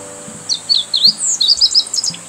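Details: Meadow bunting calling during a walk in northern Harima, Hyogo, Japan; a brief string of thin, high chirps and twittering notes over a soft background hiss with faint low thumps.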